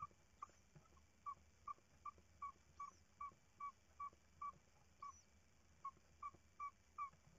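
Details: Tawny owl at the nest during the chicks' third feeding, 14 March 2019, 01:43; a quick, even series of short, clipped tonal notes, roughly two or three per second, over a low steady hum.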